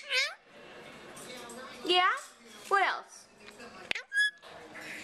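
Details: Indian Ringneck parakeet kept indoors at a bird rescue in Oregon and offered for adoption, talking: a few short squawky speech-like utterances with stacked tones, a sharp click, then a brief bright whistle, with a person's voice and soft music between.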